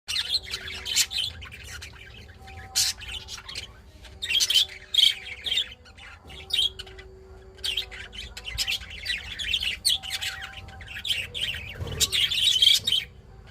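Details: An adult budgerigar chirps and warbles happily in quick, scratchy bursts, a sign of a contented bird.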